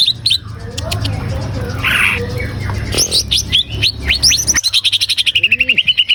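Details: Green leafbird song used to prompt a captive bird to start singing: rapid varied high chirps and whistled notes, sharp upward-sweeping phrases, ending in a fast even series of repeated notes with low hum underneath.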